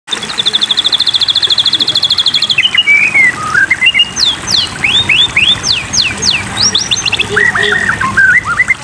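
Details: White-rumped shama song used as a water-therapy recording to coax caged birds into singing: a fast buzzy trill of repeated high notes, then clear whistled slurs, some rising, others dropping, and sharp high upsweeps, over a faint watery background.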